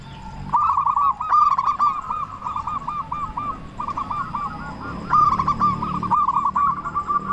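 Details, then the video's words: Local zebra dove with a strong voice, cooing to stir other doves into singing. Long, repeated series of rolled, stuttering coos at a steady pitch, with brief louder bursts and a faint high whine behind. "Perkutut Lokal Gacor Suara Besar Pancingan Burung Perkutut Agar Cepat Bunyi"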